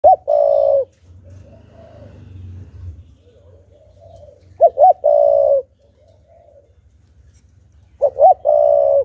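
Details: Spotted dove decoy bird cooing in a full song to provoke wild doves: three phrases, each two short rising notes then a long, steady mid-pitched coo, spaced about four seconds apart over a low background hum.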